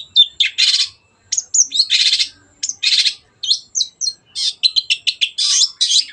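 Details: Long-tailed shrike (cendet) in lively, energetic song, used as a lure to get other birds singing: dense bursts of harsh chattering and buzzy notes mixed with sharp whistles, rapid repeated phrases with brief pauses, high-pitched throughout.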